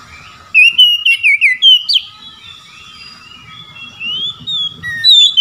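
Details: Oriental magpie-robin calling out rivals in ngeplong style: a string of loud, quickly repeated whistles and chirps, then long thin whistled notes that rise gently before a final clear whistle; a soft constant hum runs below.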